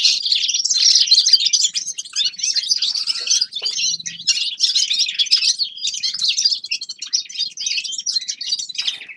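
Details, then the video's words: Forest birds singing in winter: a dense, continuous chorus of high twittering and chirping from several birds, rapid overlapping trills and tweets with no pauses and hardly any low background sound. "Зимнее пение лесных птиц Winter singing of forest birds شتاء غناء طيور الغابة"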